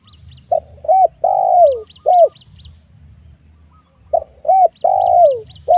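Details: Spotted dove luring session on newly cleared land in a young oil palm plantation: two mellow cooing phrases, each of short hooked notes then a long falling coo, with a gap between; thin high chirps from a small bird.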